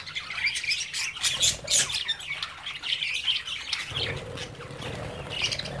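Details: Young budgerigars playing in a cage with the parent birds looking on: bright, harsh squawks and chirps come in quick overlapping bursts, with a busier chattering run near the start and a low rumble later.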